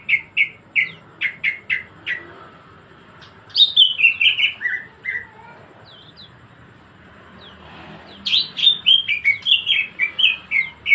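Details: Greater green leafbird in vigorous 'gacor ngebren' song: quick repeated chip notes, then a cascading series of descending whistled phrases, a quiet gap of several seconds, and another long, rapid burst of high, varied whistles.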